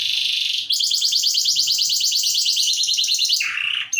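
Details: Canary in full song, a compilation recording from Ciamis, Indonesia: a long fast rolled trill of rapid repeated notes, preceded by a buzzy tone and ending in a lower buzzy phrase, loud and clear.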